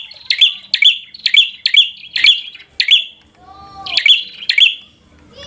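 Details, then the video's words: Aggressive 'gacor' fighter song from a bar-winged prinia, provoking a rival: a fast series of sharp high chirps, a short gap with a faint lower whistle, then more chirps. "Suara Burung prenjak | Prenjak Gacor Full FIGHTER Bikin Prenjak Jadi Emosi Lawan"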